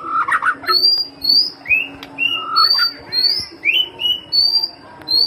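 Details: White-rumped shama song used as a pancingan (trigger) sound: clear, varied whistled phrases, many sweeping sharply upward, alternating high and mid-pitched notes in quick succession about every half second, with a faint low steady hum beneath.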